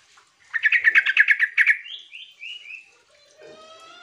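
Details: Sooty-headed bulbul lure call used to prompt other birds to answer: a fast burst of about ten harsh chattering notes, followed by several short rising whistled slurs and faint tonal notes.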